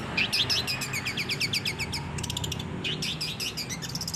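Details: Long-tailed shrike in active, full song used to train captive birds: dense bursts of sharp, chattering notes and quick downward-slurred whistles, packed tightly and repeated over a low background hum.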